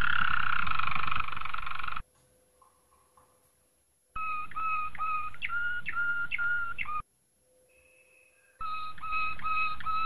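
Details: Malinois Waterslager canary training song for young canaries: a rolling tone, a silent gap, then a phrase of clipped, pulsed whistled notes, another pause, and a further burst of similar notes.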